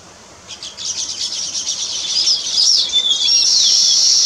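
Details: Weaver bird calling while building a nest: a rapid run of high, dry chattering notes that quickens and merges into a sustained, buzzy sizzling trill toward the end.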